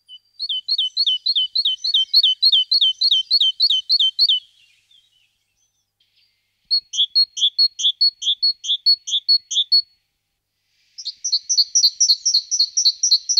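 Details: Three bursts of rapid, see-sawing two-note phrases from a great tit moving into a nest box. Each burst lasts several seconds with quick, regular repetitions, and the last is higher and denser, separated by short silences.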